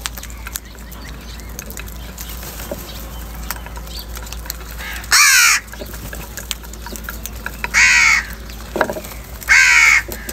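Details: Crow calling while fighting for food in the morning: three loud, grating caws spaced irregularly over ten seconds, each about half a second long, with soft clicks and a low hum between them.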